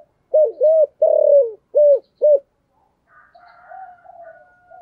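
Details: Caged decoy spotted dove cooing in the 'giọng thổ' voice style to provoke wild doves, part of daily decoy training; five low, hoarse coos run together over two seconds, then a quieter thin warbling sound follows.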